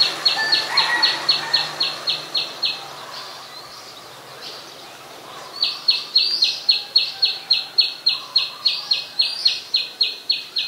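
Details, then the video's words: Oriental magpie-robin in Ubon Ratchathani, Thailand, 17 November 2021, recorded with a Nikon P1000: a rapid series of identical sharp high notes, about four per second, breaks off for three seconds, then resumes in a long run. "นกกางเขนบ้าน Oriental Magpie Robin (singing)"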